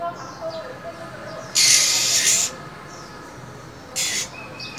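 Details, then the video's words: Hissing female minivet in cold winter, prompting a male to open its beak: one harsh breathy hiss near a second long, then a shorter hiss after a pause, with faint chirps between. "Than mái khè, rít liên tục, kích trống mở mỏ"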